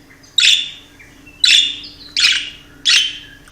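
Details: A pet budgerigar playing on a crisp fall day in New York gives four harsh, chattering chirps spaced about a second apart.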